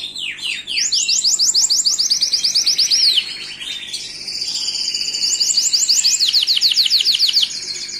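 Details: Gloster canary singing a bright, high, continuous song of fast rolling trills and rapid repeated chips, shifting between pitches, with one brief pause before the trills resume.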